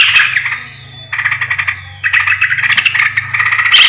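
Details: A yellow-vented bulbul lure recording, dated 20 July 2024, gives bursts of quick, bubbly chattering notes in rapid series, pausing between runs, over a steady low electrical hum.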